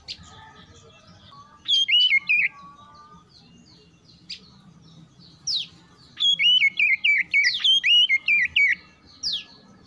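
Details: Oriental magpie-robin, a caged bird responding to other song, giving bursts of loud, slurred, see-sawing whistles in quick series, with quiet gaps and a low background murmur.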